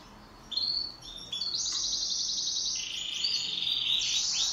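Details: Pet canary singing in duet, with a long bright warbling song of rapid high trills and sustained whistled runs, the notes overlapping and continuing without pause for about four seconds.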